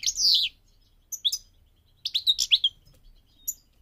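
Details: Goldfinch during migration: a drawn-out, descending twitter, then clusters of quick high chips and warbled notes in a rapid sequence.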